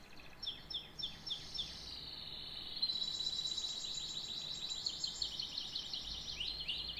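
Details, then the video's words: Canary singing softer, with a few sweeping notes followed by a long buzzy rolling trill that rises slightly in pitch, over steady background noise. "The best tweets of a canary bird"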